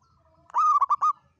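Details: Local zebra dove used as a trapping lure, singing the long seven-note kuk style in the Mataram pattern: one cooing phrase of a rising opening note, then quick dipping kuk notes, clear against a quiet background.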